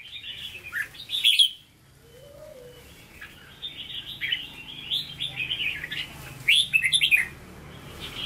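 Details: Red-whiskered bulbul, a cage bird with the true Hue singing voice (hót ché), delivers a long flowing chain of warbled, bubbling notes, with a brief quiet gap and a softer low note between louder phrases.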